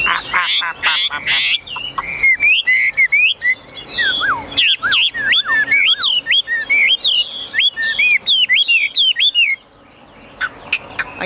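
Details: A Chinese hwamei kept in a cage delivers loud rapid trills, then a long series of rising and falling whistled slurs repeated several times a second. The song stops abruptly at the end.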